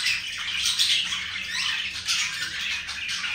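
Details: Pair of pet budgerigars showing affection to one another; steady, busy warbling chatter of squeaky twitters and rasping notes, with no break in the stream.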